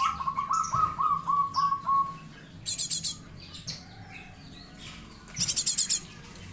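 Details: Java sparrow chick used as a lure, calling. A falling series of short whistled notes comes first, then two bursts of five or six quick, high, harsh chirps. Low hum underneath.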